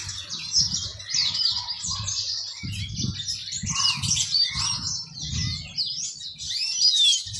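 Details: A pet yellow-fronted canary, a foreign finch kept for its sweet song, sings a jumble of high twittering phrases while soft low thumps and rustles sound repeatedly in the background.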